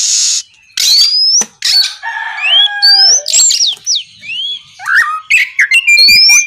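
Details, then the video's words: Oriental magpie-robin in gacor ngeplong song, played at night to prompt other magpie-robins to sing. Opens with a harsh rasping burst, then quick varied phrases: sharply rising clear whistles, slurred notes and short scratchy bursts in rapid succession. "SUARA BURUNG KACER GACOR NGEPLONG"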